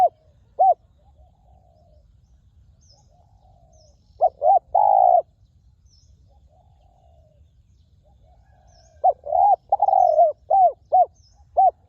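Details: Wild spotted dove at a ground decoy site, its voice described as fine and very resonant: two short mellow coos, a pause, then a cluster of arched, hollow cooing notes with one drawn-out coo, another quiet gap and a final burst of rounded coos.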